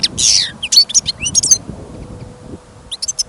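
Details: Caged European goldfinch kept for listening, singing outdoors on a trapping trip during sudden snowfall and wind: quick bright twittering phrases of high chirps and short slurred notes, a pause, then a few more high tinkling notes; low wind rumble beneath.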